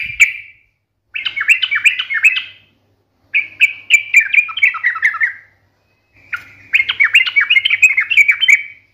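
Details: Fighting-style 'ngalas tarung' song by a yellow-vented bulbul, sung to provoke other birds into replying: three rapid, bubbling warbled phrases of about two seconds each, separated by short pauses.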